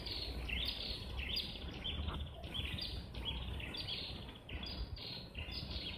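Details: Red-headed prinia singing loudly in a jackfruit tree, with two birds present: a steady series of quick, rising, slightly buzzy notes repeated more than once per second for six seconds over constant low background noise.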